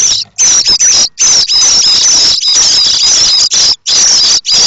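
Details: Chorus of hungry common starling chicks in their nest at Théding, France, on 7 May, rising to beg when a parent seems to approach with food; sustained harsh, shrill rasping squeals, overlapping and nearly unbroken.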